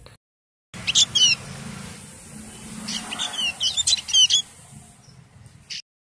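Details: Golden-headed white-eye, a protected white-eye whose call is unusually tuneful, gives high, sweeping chirps in two quick bursts a few seconds apart, almost song-like, over a faint low hum.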